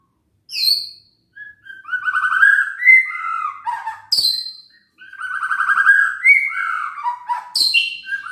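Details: White-rumped shama song intended to provoke reluctant shamas into singing: rich fluty whistled phrases mixed with buzzy trills and sharp high squeaks, in two long flowing runs split by a brief pause.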